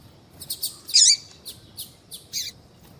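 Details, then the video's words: Female yellow-bellied seedeater calling to stimulate males: a few short, high chirps, with one louder, denser burst near the middle and fainter chips around it. "fêmea de coleiro baiano chamando Muito Para Esquentar coleiro baiano"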